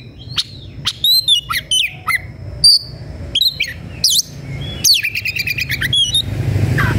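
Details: Agitated Oriental magpie-robin in full, fluent song while seeking a rival to fight: a rapid run of varied clear whistles, slurred rising and falling notes and sharp chips, dense toward the end, over a low background hum.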